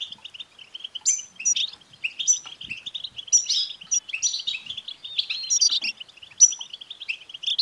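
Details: European goldfinch song meant to get a caged male goldfinch singing: brisk, continuous twitter with repeated high, tinkling phrases and occasional nasal buzzy notes, clean and uninterrupted.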